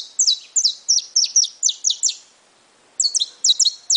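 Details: Brown-plumaged saffron finch delivering quick high chirping phrases, each note sliding downward. About ten chirps come in a fast series, then a short pause and a second burst of the same notes.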